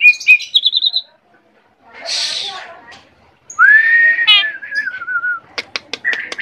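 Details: Asian pied starling singing energetically: clear whistled notes, a brief breathy rush, then a long gliding whistle falling in pitch, ending in a string of sharp clicks and short chirps.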